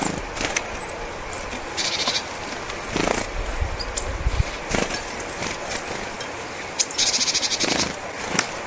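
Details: Flock of Japanese tits outside the spring singing season, dropping in one after another to take sunflower seeds to a nearby tree and peck them open; recorded close. High thin chips and short buzzy rattles, with wing flutters and background noise.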